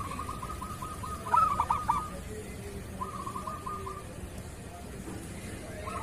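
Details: Local zebra dove kerot-style song for training reluctant doves: one bright phrase of rapid cooing beats rising out of a steady rolling trill, followed by more soft trills.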